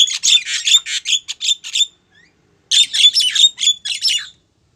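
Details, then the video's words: Female Javan myna calling to a male, used as a lure: two bursts of rapid harsh, squawky chatter about two seconds long each, divided by a short silence. "suara burung jalak kebo betina manggil jantan"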